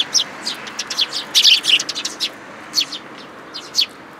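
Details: Sparrow flock with a newcomer chick feeding in a plum tree at a Tenmangu shrine, 21 June 2022; a lively burst of rapid overlapping chirps, then a few isolated high calls.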